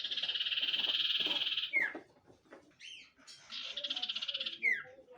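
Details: Common iora (cipoh) song: a sustained dry buzzing trill, then a sharp down-slurred whistle, a short pause and a second buzzy trill ending in another slurred whistle.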